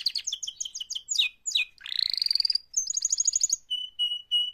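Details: Canary song given as a mating call, opening with quick chirpy descending notes, then a rising pulsed trill, a fast high rattle and two clear steady whistles.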